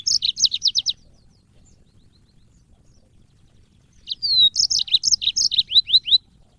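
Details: Training recording of a yellow-fronted canary, the African Mozambique bird, for cage birds: quick runs of high, sweet, slurred notes repeated about three per second, a pause, then a thin rising whistle leading into a longer trilled phrase.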